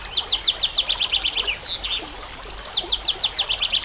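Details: Training song of a white-rumped shama with background water and nature sounds: fast series of high, downward-slurred notes repeated in quick bursts, a short pause, then another rapid run of the same strokes.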